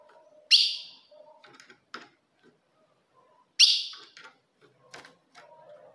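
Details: Female ultramarine grosbeak calling to provoke a male: two abrupt, bright chips about three seconds apart, each trailing off quickly, with soft ticking and low murmurs in the background.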